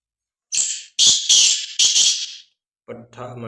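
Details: Black francolin calling in a quiet setting, recorded on Thursday, 8 February 2024: a rhythmic phrase of four or five harsh, buzzy, rasping notes, followed by a brief human voice.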